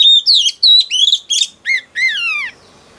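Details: Female oriental magpie-robin, caught from the wild, in male-provoking song: quick bright whistles followed by two lower, drawn-out notes, the last one a long descending slur.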